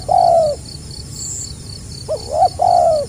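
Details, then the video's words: Spotted dove, 2020, stuttering 'gagap' style: a drawn-out soft coo, a short pause, then two quick hiccuping notes and another long low coo. Faint insect pulses behind. "SUARA BURUNG TEKUKUR GAGAP RAPAT SELANG NGUKU"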